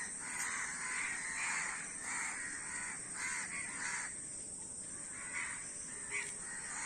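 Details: Numerous crows in a noisy chorus of overlapping harsh caws, dense at first and thinning later. A short thin chirp comes near the end over a continuous hiss.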